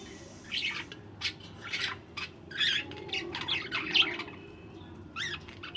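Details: Budgerigars in a breeder's nest holding eggs and newly hatched chicks, on the chicks' first day, give a run of short, scratchy chirps and squeaky tweets in irregular bursts.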